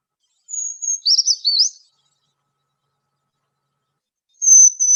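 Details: Brown Creeper song from a high-pitched, often upper-canopy species, its pattern remembered as 'trees, trees, beautiful trees': a thin, very high drawn-out note, then a jumble of lower wavering notes, repeated after a pause.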